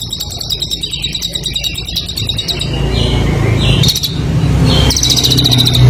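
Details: Competition songbird used as a training recording: rapid, high, buzzy trills repeated in fast bursts, then sharper chirping notes, over a loud, steady low rumble.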